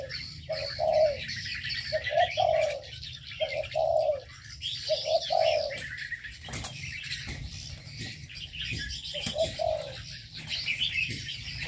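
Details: Aviary birds calling in short, repeated low coos roughly every one to one and a half seconds, then a gap, over a busy background of high chirping and twittering.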